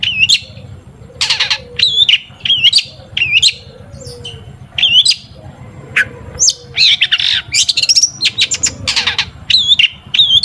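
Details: Long-tailed shrike lure song to encourage shrikes to sing: repeated phrases of a quick high whistled flourish with scratchy chips, about one per second, then busier mixed chatter over a low hum.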